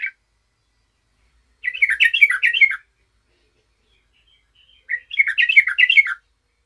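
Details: A lively Yellow-vented Bulbul, calling as if challenging a rival, gives two bursts of bubbly, jumbled chirping notes, each about a second long and a few seconds apart, in otherwise quiet surroundings.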